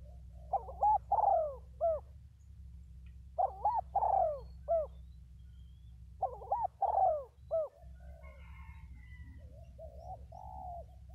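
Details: Spotted dove calling in a series of low, hoarse coos around three to four notes, phrases separated by pauses of about two seconds, over a steady low hum, with a faint higher chirp near the end.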